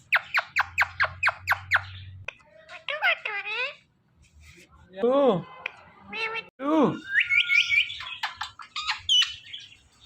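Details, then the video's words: Two pet parrots, the male teasing the female, produce a quick series of about eight sharp clicks, then swooping squeaky phrases and meow-like rising-falling wails, ending in thin high whistled squeaks. "Two Parrot Talking Full Compilation"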